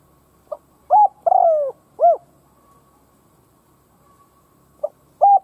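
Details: Decoy spotted dove cooing to goad rival doves. A soft lead-in note is followed by hooting coos, one of them long and drawn out. After a pause, the next phrase begins with the same short note and coo.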